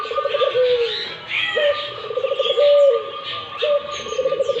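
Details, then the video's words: An active Barbary dove repeats its call about every two seconds. Each one starts with a sharp note, runs into a pulsing, purring roll and ends on a drawn-out coo, with faint bird chirps behind. "burung puter gacor"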